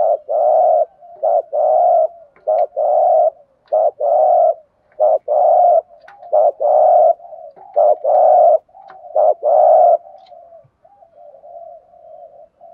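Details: Long run of spotted dove thúc gù cooing, used to stimulate and train decoy birds: about nine quick short-long low coo pairs in steady succession, tailing off into soft wavering notes.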